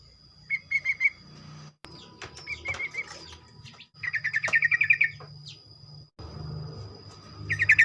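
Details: Sooty-headed bulbul singing in the morning to stimulate other bulbuls to join in rapid song; quick, bubbly repeated notes in fast trilled bursts of about a second, separated by short gaps, over a low steady hum and a thin high tone.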